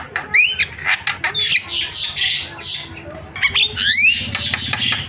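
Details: A starling lure sound made to provoke silent starlings into calling: rapid harsh squawks mixed with sharp upward-sweeping whistles. A cluster of whistled sweeps comes near the start and again near the end.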